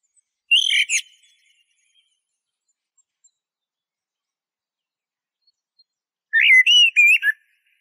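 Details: Eurasian blackbird giving a brief scratchy high note, then after a long pause a short phrase of wavering whistles with a thin twittered ending; quiet otherwise.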